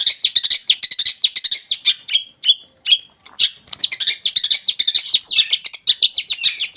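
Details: Long-tailed shrike, a tame East Java bird, in full lure song: rapid high scratchy chatter, broken near the middle by three clear descending whistled notes about half a second apart, then resuming fast twittering.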